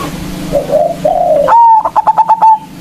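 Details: Local zebra dove, a strong-voiced singer used as a lure to provoke rivals: soft wavering coos, then a loud clear whistle leading into a quick run of about six pulsed rolling notes, over a steady low hum.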